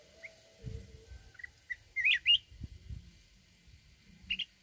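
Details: Mountain red-whiskered bulbul in forest-voice song. Scattered short chirps lead into a loud, twisting warbled phrase, then one brief chirp closes it, with soft low knocking underneath.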